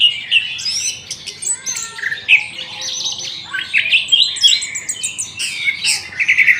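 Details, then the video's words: Several birds in an aviary in the morning, a busy chorus of overlapping high chirps, squawky notes and short trilled phrases that overlap with no pause throughout. "KICAU BURUNG DI AVIARY SAAT PAGI HARI"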